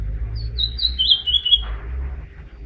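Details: Mexican goldfinch singing: a short run of high, thin whistled notes that slur downward, followed by a quick twittering phrase lasting about a second, over a steady low hum.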